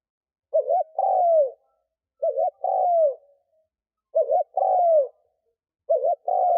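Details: Spotted dove used as a decoy to attract wild doves. It gives three complete low cooing phrases plus the start of a fourth: quick double note, then a long falling coo, repeated about every 1.7 seconds.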